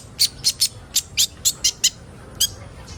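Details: Sunbird sound played to get young birds singing: a quick run of harsh, bright chip notes, eight in under two seconds, then a pause and one more, very high and clicky.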